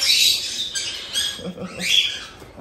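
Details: Captive cockatiel chicks, one month old, from Tokachi in Hokkaido, begging with their harsh 'jaa-jaa' chick calls. Wavering, rough rasping rises and falls in several surges, with quiet speech underneath.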